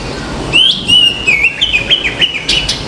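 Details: Common myna on a balcony: clear whistled notes that slide down and level off, then a run of short sharp upward chirps, over faint background hum.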